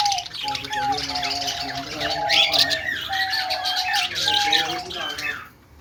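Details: Several budgies chirping and singing: a steady, busy warble of quick high chirps layered over repeated flat whistled tones, fading near the end, with a faint low hum beneath.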